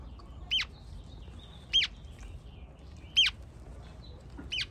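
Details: A pair of rescued hatchling Western Grebes, picked up alone from a Bay Area reservoir, utter four clear, piercing, slightly downslurred peeps about every 1.3 seconds over a low indoor hum.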